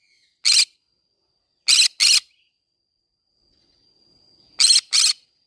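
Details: Green-cheeked conure in a flower garden: one harsh squawk, then two quick paired squawks, then another pair, each burst grating and noisy, in an otherwise quiet setting.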